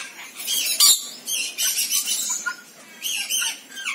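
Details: Shrill rasping squawks and screeches of rainbow lorikeets in short bursts separated by brief quieter gaps, with thin high whistled notes mixed in.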